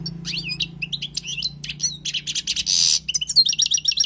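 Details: Wild European goldfinch giving its song for teaching, with quick jerky twitters and slurred whistles, one harsh buzzy note partway through, over a low steady hum.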